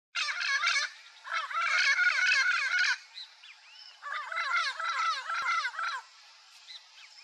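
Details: Turquoise-fronted parrot, also called papagaio-verdadeiro, a Brazilian Amazon parrot: harsh rasping squawks in rapid wavering bursts of two to three seconds with rhythmic warbled notes, separated by quieter chatter and faint whistles.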